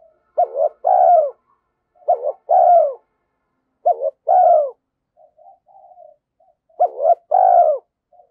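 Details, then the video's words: Decoy spotted dove phrases: a brief note leading into a longer descending coo, repeated four times at roughly one-and-a-half-second intervals, with quiet low murmurs between. "Chim Cu Mồi _ cu gay kich boi nhanh noi gù"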